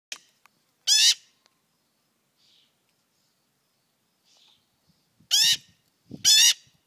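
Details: Loud harsh rasping calls from a young magpie fledgling, likely hand raised, that lingers near people and crawls over them for attention in the morning; three broad grating squawks, widely spaced, with faint soft sounds between.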